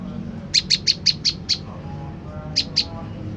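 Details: Olive-backed tailorbird calling, a lure sound meant to make other tailorbirds reply: a fast run of six sharp, piercing high chips, a short pause, then two more, over a faint low hum.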